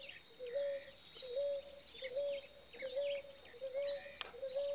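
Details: Male ruddy ground dove singing to defend territory while the female incubates eggs: short low coos repeated about every 0.8 seconds in a steady series, with many small birds chirping and twittering higher in the background.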